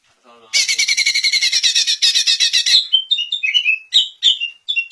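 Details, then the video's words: {'caption': 'Greater green leafbird song played to make other leafbirds answer: a loud, fast rattle of harsh, buzzy notes, about four a second for two seconds, then scattered clear whistled phrases.'} "Cucak Ijo Anda PASTI AKAN NYAUT dengar Suara KICAUAN MERDU TERBAIKNYA INI"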